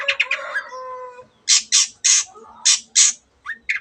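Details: Long-tailed shrike mixing mimicry of canary and other birds with loud scolding: a chattering nasal phrase with a drawn-out tone, then five harsh rasping squawks and two short whistled notes.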